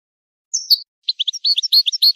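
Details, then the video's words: The goldfinch starts with a drawn-out high slurred whistle, pauses briefly, then breaks into quick bouncing chirps with bright high accents. The recording has no other sounds and comes from a song tape for teaching young birds. "Analysis of goldfinch songs and their performance in education"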